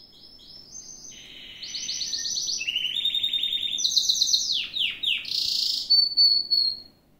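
A Gloster canary sings a rapid, rolling song of trills that step between high pitches, ending in sharp chips and a thin sustained whistle.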